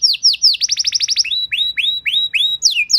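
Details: Canary master song for teaching other canaries: quick downslurred whistles, a rapid trill of high notes, then repeated rising whistled phrases and two final descending slurs.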